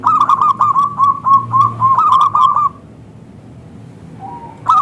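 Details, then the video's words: Local-strain zebra dove in full, thick, crystal-clear voice, used as a lure to draw replies from other zebra doves: a fast run of short, looping coos near one pitch, about four per second, then a pause and a fresh start. "Perkutut Lokal Gacor SUARA Kristal TEBAL Jitu AHLINYA UNTUK pancingan perkutut NYAUT"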